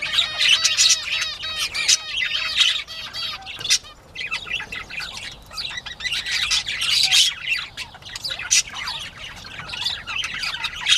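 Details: Bobwhite quail playing, 19 April 2017 at 10:13 AM: rapid, tightly packed chirping and twittering from several birds, strongest in the opening seconds and again around the seventh second, with occasional squawks.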